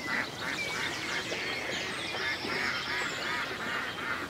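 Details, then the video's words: Ducks by a lake in the country, giving a steady run of harsh, nasal quacks about three per second over a busy chorus of other waterfowl and higher bird chatter. "A Peaceful Day in the Country with Ducks Ambience"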